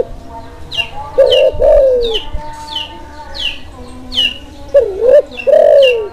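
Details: Spotted dove of the Kelantan type, in breeding mood, used to stir silent doves and for luring; paired soft coos, some long and sloping, some dipping, set against a steady series of high, thin chirps from other birds.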